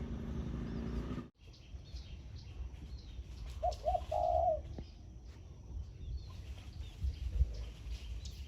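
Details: Zebra dove kept as a decoy, singing in the morning in khan yon style: one quick phrase of short looped notes running into a vibrating coo. Background rumble with a brief dropout before it.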